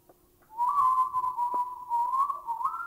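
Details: Bay Owl from Thailand: one long, even, drawn-out whistle lasting over two seconds, wavering slightly and rising at the end, with faint low background hum.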